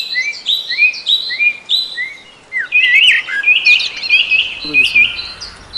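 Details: Black drongo singing: a varied series of whistled, slurred notes, some rising, some falling, with harsher buzzy phrases in the middle, other birdsong overlapping.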